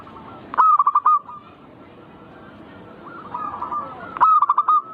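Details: Perkutut, the zebra dove, sings to stir other birds into singing. Two bold phrases of stuttering, rolling coos open and close the passage, with quieter dove phrases in the gap.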